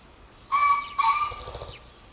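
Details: Green pheasant calling: two loud, harsh, hoarse notes about half a second apart, the second trailing off into a fading ringing tail, over a quiet background.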